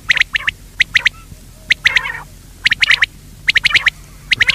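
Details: Quail call used as a lure for hunting by netting: sharp, clipped notes grouped mostly in threes, each group separated by about a second of quiet, with a low hum beneath.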